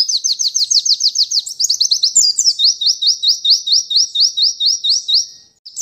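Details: White-eye song of rapid high whistles that slow into evenly spaced rising notes, fading out at the end, with no background noise.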